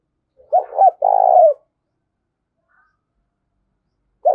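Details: Decoy spotted dove calling in wild birds: a single phrase of two short low coos and a drawn-out falling coo, then silence before the next phrase begins.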